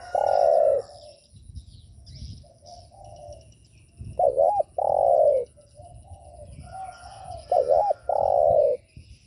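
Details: Spotted dove cooing used to provoke other doves: loud, low, hollow coo phrases, each opening with a quick wavering double note and then a long sustained coo, repeated about every four seconds over softer background coos.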